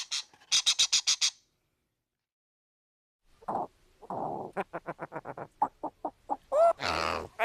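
A parrot gives a quick run of six harsh, raspy squawks. After a pause it breaks into rapid chattering notes and ends with a rising whistle and a screech.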